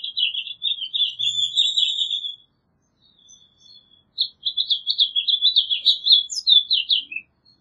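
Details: House Finch song: two long warbled phrases of rapid, jumbled chirping notes, the first running about two and a half seconds, a short pause with faint notes, then a second lively run of twittering ending in a down-slurred note.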